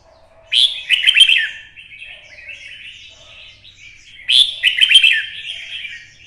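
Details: Caged red-whiskered bulbul from Vietnam, stimulated to sing for fighting, twisting song: two loud bursts of bright, rapid warbled notes about four seconds apart, each trailing into softer chatter.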